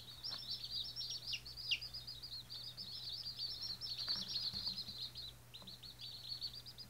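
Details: White Australorp chicks on their first day peep continuously with high, thin, rapid chirps that overlap into a steady twittering, over a constant low electrical hum.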